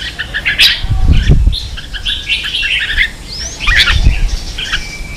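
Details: Red-whiskered bulbul singing in 'ché' style to train young birds: bright chirps and a rising whistled slur, mixed with low thumping knocks around one and four seconds.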